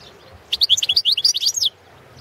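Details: European goldfinch of the Balkan subspecies Carduelis carduelis balcanica, a competition recording for the 2017 World Championship in Goldfinch Song: one rapid burst of high, bright twittering notes, tinkling and liquid, lasting a little over a second against a quiet background.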